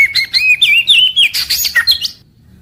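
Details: White-rumped shama in daily song meant to spur other caged birds, morning to evening: a rapid run of whistled, warbling phrases rising from mid to high pitch, ending in a few sharp notes before falling quiet.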